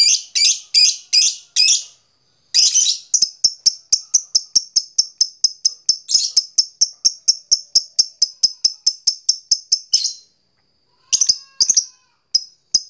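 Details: Fighter lovebird challenging an opponent with its 'ngetik' ticking, used to stir another lovebird into a long trill: a few harsh, raspy chirps, then a long even stream of sharp, high ticks, ending in scattered bursts.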